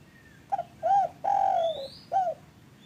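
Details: Spotted dove, a call played to set off caged doves. A single clear phrase: a quick note, an arched double note, a long level coo and a short final note. A faint rising whistle from another bird sounds above.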